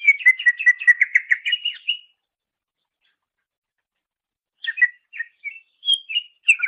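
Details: Greater green leafbird master song for training songbirds: a two-second rapid chatter of repeated chirps, a long silent gap, then scattered whistled and chirped notes rising and falling, with a clean background.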